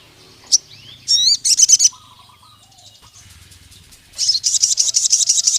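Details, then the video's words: Crested jay, said to be calling a rival male, giving clipped high chirps and bursts of quick, buzzy rattling notes, with a brief pause between bursts and a faint lower whistle in the background. "SUARA BURUNG SOGON NGALAS GACOR MEMANGGIL LAWAN JANTAN"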